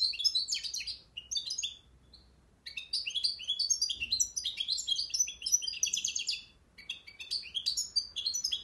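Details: European goldfinch from Akhisar, Turkey, singing in the cimbil style: dense, high twittering and tinkling phrases in bursts, with a short pause near two seconds before the rapid chatter resumes and runs on.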